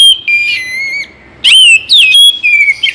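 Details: Oriental magpie-robin singing, meant for morning and evening use to make sluggish birds eager to sing; bright, strong whistles, a long held note falling slightly, then a burst of sweeping, rising and dipping phrases.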